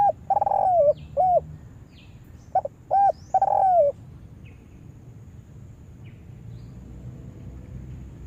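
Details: Trapping lure spotted dove gives a brisk run of short clipped coos and two longer sliding coos in the first four seconds, then falls silent, leaving only faint background hum.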